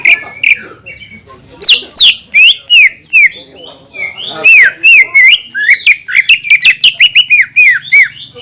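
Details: Greater green leafbird in full song, a recording meant to stir other leafbirds to sing. Bright arched whistles repeat almost three times a second, mixed with sharp rising and falling slurs and brief pauses.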